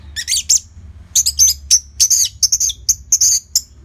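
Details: Orange-headed thrush giving steady song as a lure for training other birds: rapid, very high twittering and chattering phrases packed closely, with a short pause after the first second, over a faint low hum.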